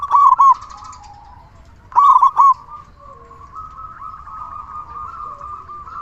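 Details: Loud local zebra dove used as a lure to prompt other zebra doves to sing, giving two bursts of clipped, rolling coos about two seconds apart, followed by a steady droning hum.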